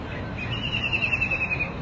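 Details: One clear, loud, descending run of rapid staccato notes from a White-throated kingfisher (Halcyon smyrnensis), about a second long, with a faint low rumble beneath.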